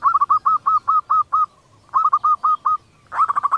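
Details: Female local zebra dove giving a kerot call meant to bring males into breeding condition: rapid series of short, rolling, hooked notes, about eight in a row, a pause, five more, then a faster burst.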